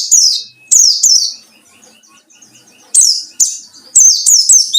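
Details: Ngalas-style white-eye, a lure to provoke rival birds: loud, bright, descending chirps in quick succession, a soft chittering interlude, then further piercing slurred notes.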